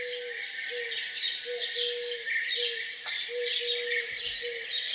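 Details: Morning birdsong near a farmhouse, overlapping high chirps above a low, drawn-out whistled note repeated every half second or so.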